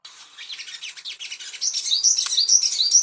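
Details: Ashy tailorbird song played as a training track to bring birds into breeding condition: soft scratchy twitters build into a loud, fast, high warbling run of rising and falling whistled notes.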